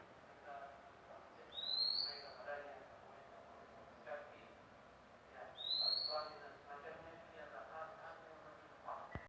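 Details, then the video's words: Magpie-robin, recently obtained, repeating a clean rising whistle twice, roughly four seconds apart, with soft indistinct background noises and a sharp click at the end. "mk baru dapat dah bunyi"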